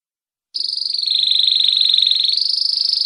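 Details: Atlantic canary singing a sustained, high, rapid trill that starts abruptly and continues as a steady buzzy roll of fast repeated notes, dipping slightly in pitch midway.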